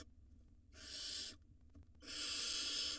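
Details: Two wild barn owl nestlings inside a nest box swallow rodents at the same time; two long breathy hisses about a second apart, noisy and rasping, steady in loudness, faint low hum beneath.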